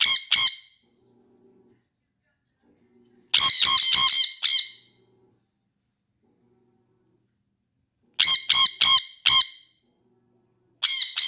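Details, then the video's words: Sun conure screaming indoors: loud, piercing, harsh shrieks in quick bursts of three to five, separated by several seconds of silence. "Sunconure gritando"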